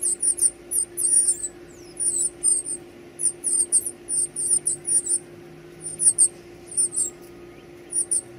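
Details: Nestlings begging as they are fed, giving clusters of sharp, very high-pitched squeaks in rapid bursts, separated by brief pauses, over a faint constant hum.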